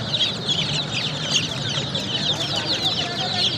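A crowd of chicks peeping nonstop, a dense overlapping chorus of high, thin cheeps, with a low hum underneath.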